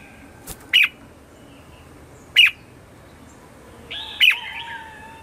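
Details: Red-whiskered bulbul morning song, used to call in wild birds. Three loud, short chirps come roughly every one and a half seconds. The last is followed by a softer warbling phrase and a low, level whistle.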